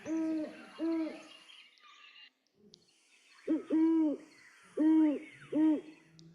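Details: Great Horned Owl giving its classic deep, soft hoots: two spaced notes, a pause, then four more in a quick rhythmic series.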